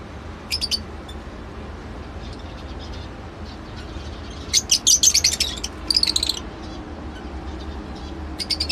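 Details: Lovebird call sequence: a quiet stretch broken by a fast volley of shrill chirps and squeaks, then a few isolated high notes, over steady low hum.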